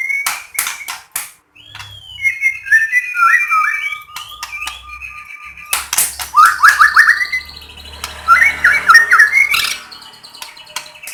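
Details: Singing white-rumped shama, played to lure other shamas into song: sharp clicks open, then wavering whistled phrases and bursts of quick rising trills, loud and varied, in a small indoor space.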